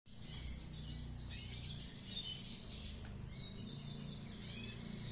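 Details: Red siskin actively singing in the chattering ngriwik style: a continuous high, scratchy twitter with thin whistled notes running the whole clip over a steady low rumble of background noise.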